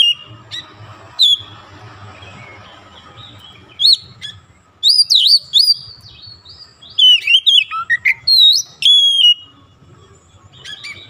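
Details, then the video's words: Magpie robin (kacer) singing vigorously right after a single lure: loud, clear whistled phrases with sharp up-and-down sweeps, burst out in groups after quiet gaps, over a faint low hum. "sekali pancing Kacer langsung on buka paruh gacor"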